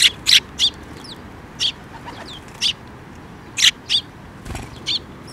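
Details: Sparrows flying in to be fed at a Tenmangu water bridge, 5 May 2024; loud, sharp chirps repeated in irregular bursts, some paired, against a quiet background.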